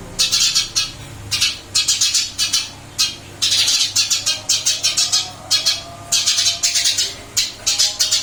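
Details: Eurasian tree sparrow singing steadily in its new cage: clusters of bright, shrill chirps delivered in rapid bursts of three to six, separated by short gaps, over a low background hum.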